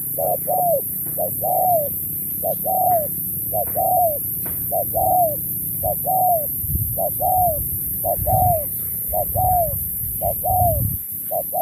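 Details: Spotted dove at a singing contest repeats 'Thúc kèm Bo' style phrases: short lead notes then a smooth falling coo, regular about once a second, with steady high hiss and some low rumbling thumps in the background.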